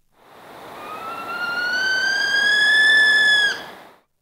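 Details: A Northern Saw-whet Owl, a fall and winter visitor to Illinois (October–March), gives its whining call: one long, drawn-out whine rising in pitch for about three seconds, then breaking off with a quick downward slur.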